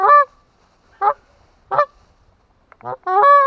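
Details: Atlantic Canada goose (Branta canadensis) honking: five loud, nasal honks, some two-part and rising, spaced about a second apart, over a quiet background.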